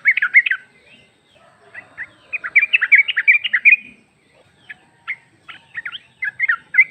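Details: Female sooty-headed bulbul calls to a male, meant as a lure; an opening burst of quick chirps, then a chattering run of bright notes, followed by spaced single chirps and a short final flurry.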